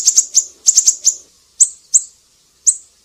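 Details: Siri-siri in song, used for tutoring cage birds: a quick flurry of shrill high chips in the first second, then single notes spaced half a second to a second apart.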